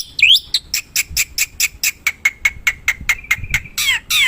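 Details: Black-winged myna in the wild, recorded as a lure: a rising whistle, then a run of short, sharp clicks and chirps, ending in harsher, descending squawky notes.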